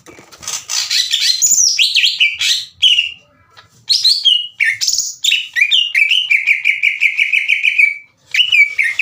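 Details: Green leafbird singing as a lure to make slow-to-heat rival leafbirds sing back; dense chattering and sweeping whistles, a short gap, then more phrases ending in a fast even trill of repeated notes.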